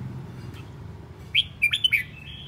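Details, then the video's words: Aggressive decoy red-whiskered bulbul, whirling restlessly, gives a short burst of bright whistled, slurred notes in quick succession midway, then a thin drawn-out whistle fading, with a low droning hum underneath throughout. "Chào mào mồi hót cực hay, hung hăng quay cuồng"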